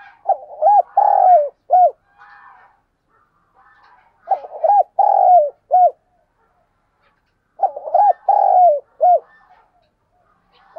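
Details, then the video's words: Lure recording of a spotted dove. Three repeated cooing phrases, each beginning with quick notes, swelling into a long coo and ending with a short clipped note. Faint murmurs fill the gaps between phrases. "tiếng cu gáy mồi"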